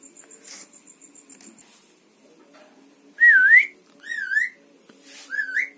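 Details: Javan myna that mimics words such as bapak, mamak and opo pak and also whistles; after faint rustling, three loud wavering whistled notes, each dipping then rising, spaced about a second apart, with a person speaking nearby.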